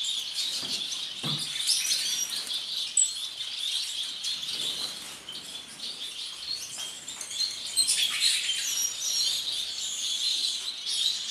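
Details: Captive masked lovebirds (Agapornis personata, violet mutation) chatter continuously with shrill, high-pitched squeaks and chirps, several birds overlapping in a busy, unbroken stream.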